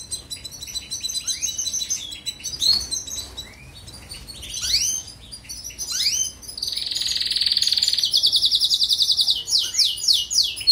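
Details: European goldfinch song played to train canaries: bright high twittering notes and rising slurs, then a long dense rattling trill held for several seconds, followed by quick chattering phrases.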